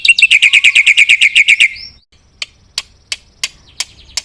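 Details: Black-winged myna singing as a lure for other birds: a quick, even run of raspy chattering notes that stops abruptly, followed by sparse sharp clicks spaced roughly every third of a second.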